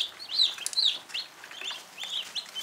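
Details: Cornish Cross meat chicks, one day old and newly brought home, peep continuously in shrill, slightly rising chirps that overlap from several birds.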